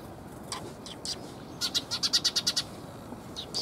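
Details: Several sparrows arriving to be fed at a Tenmangu shrine, 30 October 2021, giving a rapid run of about nine sharp, high chirps in a row, with scattered single chirps before and after.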